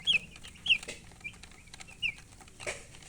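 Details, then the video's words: A few loud, separate, high chirps from colored chickens, each a short rising-falling peep spaced about half a second apart, with soft clicks and rustles between them. "silly chicken chirping sounds"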